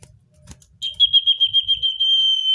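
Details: Common iora singing naturally, as a lure for wild birds: a quick series of even pulsed notes runs straight into a sustained, level, high-pitched whistle. A faint low rumble sits underneath.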